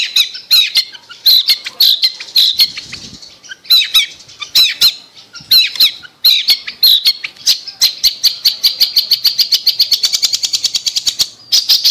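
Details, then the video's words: Long-tailed shrike in full song, a lure for a bird that has gone quiet. Harsh high phrases with pauses give way to a long, accelerating train of rapid, even, scratchy notes rising slightly in pitch. "Pancingan Cendet Macet Bunyi"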